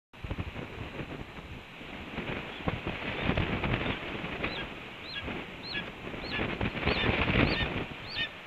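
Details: Red-tailed hawk at a Cornell nest on 7 April 2013, 8:39 AM EDT, calling to announce breakfast being delivered. Repeated short, slurred, descending high calls from about four seconds on, over heavy rustling, flapping and wind noise.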